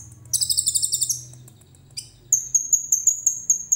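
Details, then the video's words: Common iora in full cililin-style song: a rasping, rapid trill of about ten pulses, a quiet spell, then a long run of thin, very high whistles repeated several times a second, faint low hum behind. "KONIN GACOR FULL ISIAN CILILIN JERNIH"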